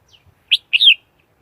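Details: Red-whiskered Bulbul lure song for trapping wild birds: a single short phrase, one clipped note followed by a longer rolling warble.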